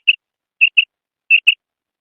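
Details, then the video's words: A female quail's call: brief bright whistled notes, mostly in close doubled pairs separated by short pauses, clean and isolated with a silent background. "Female Quail Sound / مادہ بٹیر کی کرک"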